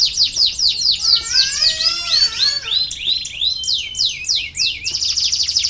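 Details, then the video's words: A canary's varied song, used as a lure to get lazy canaries singing: fast repeated downward-slurred notes, a looping warbled passage dipping lower, then more rapid slurred phrases and a high dense trill. "KENARI BELAJAR BUNYI UNTUK MERANGSANG BUNYI- pancingan kenari malas bunyi"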